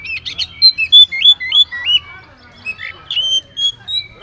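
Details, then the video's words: Vigorous Oriental magpie-robin song packed with filler phrases, played as a lure to provoke other magpie-robins into replying; loud clear whistles sliding up and down in quick succession, several notes per second, with a faint low hum beneath. "kacer gacor full isian pancingan kacer langsung nyaut bongkar isian"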